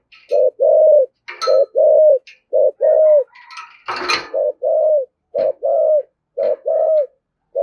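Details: Spotted dove 'thúc gù' urging coo in 'thổ' voice, meant to provoke other doves: repeated low short-long coo pairs at a quick even pace, broken by a loud rustle or knock and faint high chirps.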